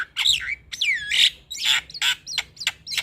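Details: Black-winged myna song used as a lure to coax a stressed, silent bird into singing: loud swooping whistles and rasping squawks, a bent whistle near the start, then clipped harsh notes.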